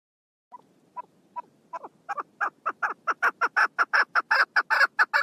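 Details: Female chukar partridge, 1 June 2022: soft, isolated clucks slowly quicken and swell into a loud, rhythmic chuckling series of coarse notes, building steadily in volume over five seconds.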